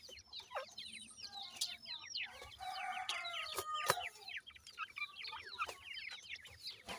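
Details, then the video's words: Several grey francolin chicks feeding and playing give a dense chorus of sharp, high, falling chirps and peeps, almost continuous and overlapping, with occasional louder clicks and taps. "grey francolin chicks fedeeing and playing"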